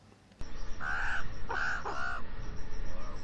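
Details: On a tourist beach in France, a Northern Raven gives four fairly high, nasal, hoarse calls in quick succession, part of its varied, often high-pitched vocabulary beyond its repeated deep croak, over a faint low rumble.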